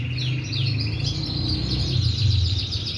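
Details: Singing canary pouring out rapid high trills and repeated slurred notes in an unbroken stream, backed by a constant low droning hum.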